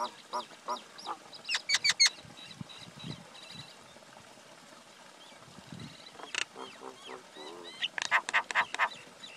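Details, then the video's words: Male and female common myna (Acridotheres tristis) exchanging bouts of rapid, harsh chattering notes with scattered whistles, a quieter middle stretch, then a second loud chatter burst. "Call or Song of Male & Female common Myna, Acridotheres tristis"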